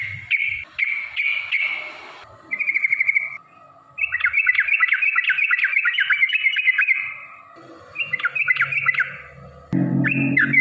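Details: Yellow-vented bulbul, recorded as a lure to provoke rival bulbuls, giving harsh buzzy phrases and then a dense rapid chatter of bubbly notes, with breaks and some low background thumps.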